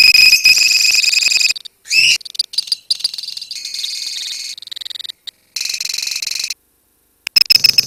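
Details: Lovebirds kept as a colony give bursts of shrill rapid trilling separated by short silences, with scattered squeaky chirps between the long rattles, as used to prompt the extended 'ngekek' song.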